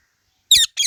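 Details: Indian ringneck parrot giving two short, harsh, high screechy squawks in quick succession after a moment of silence, the first slightly longer than the second.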